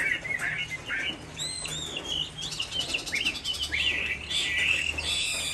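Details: A hwamei sings on a rainy afternoon in Hai Phong, Vietnam, in broken fashion: short whistled slurs separated by pauses, some high thin notes, and a steady patter of broadband ticks and low hum throughout.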